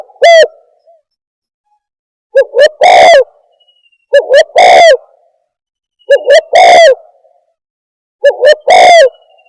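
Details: Spotted dove lure call for trapping: cooing phrases repeated about every two seconds, each of two quick short notes followed by a long, loud, downward-sliding coo.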